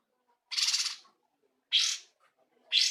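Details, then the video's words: Cungkok bulbul singing loudly with rich fill notes, as a tutor for training songbirds; three rasping bursts, the later two sharper and shorter, spaced a little over a second apart. "Cungko gacor cor isian mewah"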